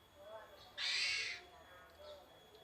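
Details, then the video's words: One loud, raspy, hissing burst lasting about seven tenths of a second from a Javan pied starling's characteristic basic song, with faint chirps before and after. "Suara dasar burung jalak uren"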